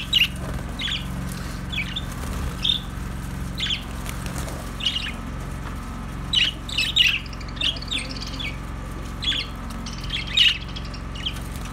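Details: Budgerigars giving short, sharp chirps and squawks scattered through the recording, some in quick pairs and clusters, over a steady low mechanical hum.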